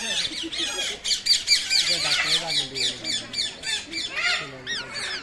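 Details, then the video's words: Rose-ringed parakeets giving loud, harsh squawking screeches in quick overlapping bursts, a flock chorus with many birds calling at once and a low human voice murmuring beneath. "The sound of the beautiful Tia birds"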